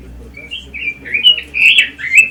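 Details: A red-billed leiothrix (a small imported cage songbird) sings for song-training, a fast, rich warble of sliding, slurred phrases pitched fairly high, one running into the next without pause.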